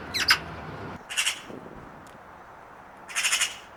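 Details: Eurasian magpie giving three short, harsh rattling bursts separated by quiet gaps of about a second and more, with faint low background rumble early on.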